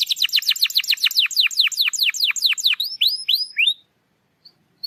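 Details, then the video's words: Lure song of a canary meant to stir a silent bird to sing: a quick series of loud descending whistled notes, then a few rising slurs before the song stops. "PANCINGAN KENARI MALAS BUNYI"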